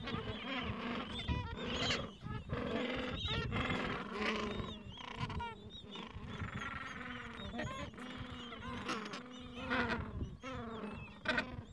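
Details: Gentoo penguin breeding colony in the Falkland Islands, adults with chicks two to three weeks old at nests on a mild afternoon; a steady chorus of nasal braying calls and short, high, upward-sweeping peeps overlaps continuously.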